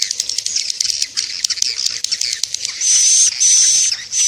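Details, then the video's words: Lure sound for drawing swiftlets to bird houses: busy high chirping chatter for nearly three seconds, then longer buzzy hissing bursts with a thin steady whistle, each about half a second. "SUARA TARIK MANSYAH WALET"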